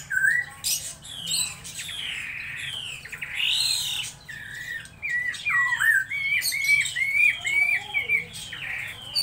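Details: Laughingthrush singing varied phrases: harsh squawky notes and swooping whistles, then a run of clear, repeated rising-falling whistled notes toward the end.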